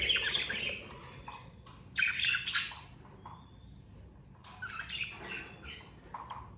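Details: Budgerigar family of two parent birds and two young keeping up dense, grating chatter in clustered bursts near the start, at two seconds and again around five seconds, separated by quieter gaps with a faint hum.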